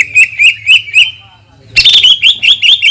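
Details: Cucak ijo lure song aimed at provoking other leafbirds: a short run of ringing high notes, a brief pause, then a brighter, faster burst of chattering chips.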